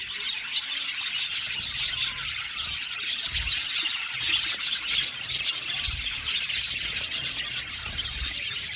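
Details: Budgerigars chattering in an aviary colony, many birds warbling at once with quick repeated tweets and scratchy trills, forming a lively, continuous high chorus.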